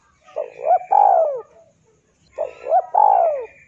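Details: A spotted dove sings a low cooing phrase, used as a model for training caged birds. Each phrase has a couple of quick hooting notes and then a drawn-out, descending coo, repeated twice with a quiet gap.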